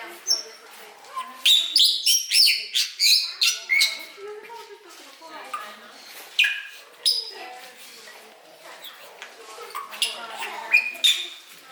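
A Bali myna sings a rambling medley of harsh chatters, clicks and high piercing whistles in quick, uneven bursts, with brief pauses between phrases.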